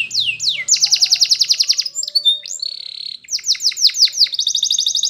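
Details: Spanish Timbrado canary, yellow, in full training song: swooping whistles, a long pulsed trill, a sustained buzzy tone, a burst of repeated downslurs and a closing fast trill.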